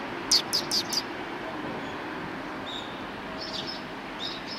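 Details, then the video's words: Resting Eurasian tree sparrows after a meal, 26 January 2020. Four loud, quick chirps open the moment, then only faint distant chirping over a constant noisy background. "すずめ達の出迎え 20200126 2 （食後の休憩をしてた雀達）"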